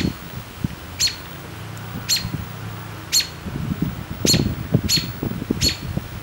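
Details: Robin chirping: six sharp, high, clipped chips spaced about one second apart, each a brief bright tick, over low rumbling background noise with soft knocks and clatter.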